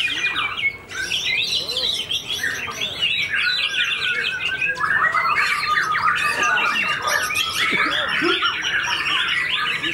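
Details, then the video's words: White-rumped shama with white tail feathers, a steady fighter fresh from moulting, delivering a long aggressive song of fast varied whistles, rattles and sweeping slides, unbroken for ten seconds over crowd murmur. "MB UNIK SUPER FIGHTER PASCA MABUNG NGAMUK"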